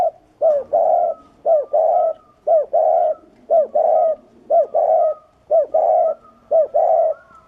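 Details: Spotted dove 'gù' cooing, loud and standard-voiced, for training and stirring up male doves; a brief hooted note followed by a longer throaty coo, the pair repeated steadily about once a second with slight room echo.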